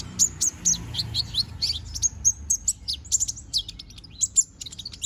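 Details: Konin bird, young and balding while regrowing plumage, in full song: a steady stream of very high, squeaky chirps and short descending slurs, closely spaced and energetic.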